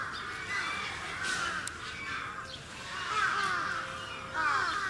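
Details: At a Gunma safari park in Japan on 10 November 2018, captive Sarus cranes trumpet in loud, ringing bursts of arched notes, crowding together in waves with short dips between.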